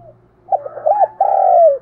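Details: Single close phrase from a decoy spotted dove that trains young birds to sing: a few quick coos leading into a long, rough, slowly falling note over a low steady hum.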